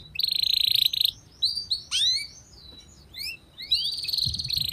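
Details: Canary master song for training in a rich ornate style: a steady buzzy tone, scattered swooping whistles and falling slurs, then another long buzzy trill, over constant low background hiss.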